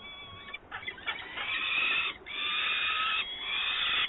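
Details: Peregrine falcon at a nest in Włocławek on 24 May 2022 as an adult brings live prey; long, harsh, wailing calls with strong harmonic bands, nearly continuous with a couple of brief breaks.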